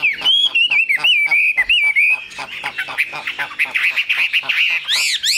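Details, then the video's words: Chinese hwamei singing rapid bouncing whistles, repeated in quick succession, shifting to a denser warbling stretch and ending on high swooping notes. "Họa mi siêu phẩm, người dai miên man"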